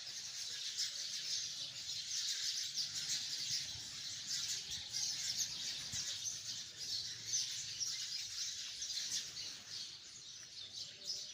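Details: Hundreds of sparrows in a tree keep up a busy, shrill chorus of rapid overlapping chirps, about three per second, pulsing irregularly over eleven seconds.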